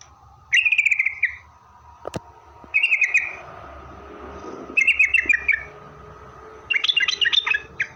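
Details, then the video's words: Song of a yellow-vented bulbul used to make other bulbuls reply: four buzzy trilled phrases, each about half a second long, spaced roughly two seconds apart, the last breaking into chattering notes. "suara Trucukan gacor gaja Pikat ini Rajanya bikin nyaut trucuk"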